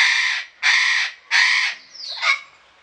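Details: A captive Eclectus parrot (Eclectus roratus) in a garden in Pelhřimov in August 2017 gives three harsh, rasping half-second screeches, then a shorter, softer call with a whistled edge.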